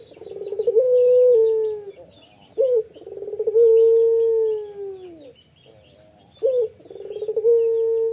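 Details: Male spotted dove, a vocal songster, giving a long, sad-sounding song: each phrase opens with a short rolling stutter, then swells into a drawn-out low hooting coo that slowly falls, repeated about three times with brief pauses.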